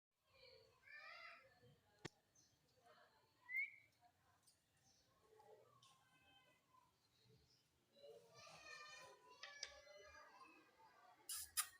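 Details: A green Indian ringneck parakeet talks in high, thin, childlike words and phrases, with a short whistle and bursts of harsh, squawky chatter near the end.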